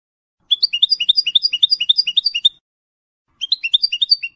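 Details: A colour goldfinch hybrid from 2022 with a large white bib, nearly finishing its first moult, sings a fast, bright twittering run of high liquid notes, pauses about a second, then starts another phrase. No other sounds intrude.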